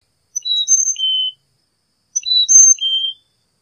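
A Carolina chickadee gives two clear, whistled four-note phrases, high-low-high-low like "fee-bee fee-bay," about a second apart, against quiet surroundings.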